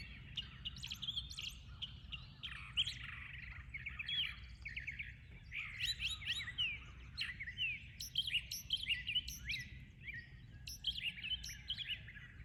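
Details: Several birds singing in the morning: bright, high chirps and quick twittering phrases overlap almost continuously, with short rising and falling notes and some sharp very high ticks, over a low steady background rumble.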